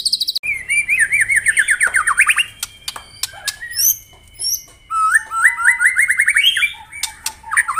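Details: Morning song of a white-rumped shama, used to rouse rival birds: quick rising-and-falling warbled phrases, dry clicking rattles and sharp high notes, pausing briefly, then a run of clear stepped whistles and chatter.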